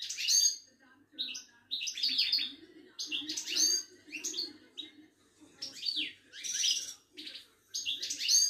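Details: Caged Moroccan European goldfinch of the Ouidane type, kept by breeders in Casablanca: bursts of high twittering, buzzy and trilled phrases separated by short pauses, with a faint low hum behind.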